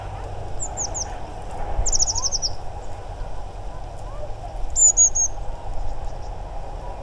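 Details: Bearded reedlings give autumn contact calls at the Ptasi Raj reserve, Poland: three bursts of high, twangy, slightly descending ping notes a few seconds apart, heard between hammer blows, over a steady low rumble.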